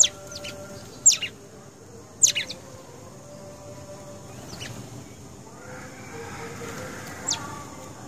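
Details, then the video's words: House sparrow in a garden giving sharp, high chirps in short clustered bursts near the first and second seconds, then scattered fainter chirps over a soft, steady tonal hum in the background. "sparrow song"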